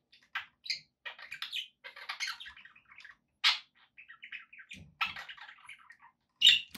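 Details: Pet budgerigars chattering indoors: a rapid run of short scratchy chirps, squawks and warbled notes, high-pitched and bursty, with a few brief pauses and louder harsh squawks near the middle and end.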